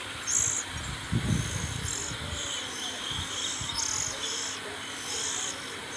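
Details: Oriental magpie-robin nestlings being fed, recorded close up: a string of high, harsh, hissing bursts, each about half a second long, with low rustling and knocking in between.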